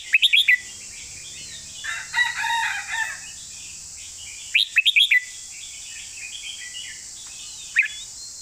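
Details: Red-whiskered bulbul cage bird singing master-style song, opening with a rapid string of ringing whistles, a rooster crowing in the middle, then another whistled burst and a lone sharp note near the end over steady hiss.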